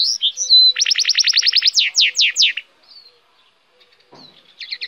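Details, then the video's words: Goldfinch hybrid delivering a rapid run of about a dozen evenly spaced buzzy pulses, then slower descending slurred notes, followed by quieter twitters and a brief soft rustle. "cante de hibrid de sticlet - Mixto de Jilguero - الهجين الحسون"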